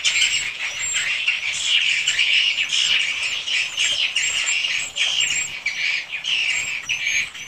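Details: Many swiftlets calling together in a swiftlet house, a constant overlapping mass of buzzy chirps and shrill twittering notes, with occasional thin high whistles threading through the chatter.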